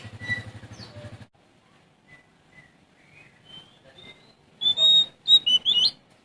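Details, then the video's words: Sumatran Oriental magpie-robin singing to challenge rivals. A low rattling noise opens, then faint rising whistles build into a loud closing run of clear and twisting notes. "Suara Asli Kacer Sumatra Gacor Cari Lawan"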